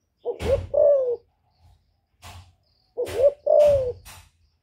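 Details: Female spotted dove calling to excite newly kept male doves: two low coo phrases about three seconds apart. Each phrase is a brief wavering note, then a drawn-out steady croon, with sharp knocking clicks over the calls.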